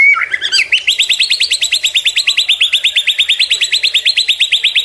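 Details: Tutor and lure track of murai batu, the white-rumped shama: a brief falling whistle, then a long, steady trill of identical bright notes repeated about three times a second.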